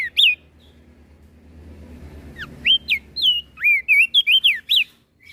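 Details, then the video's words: Flores crested white-eye singing to provoke rival birds: one whistled note, a quiet stretch with low hum, then a fast string of loud, clear whistles sweeping up and down, some with a hooked finish. "Opior Jambul flores Gacor Bikin Emosi Burung Yang Dengar Pasti Langsung Ribut"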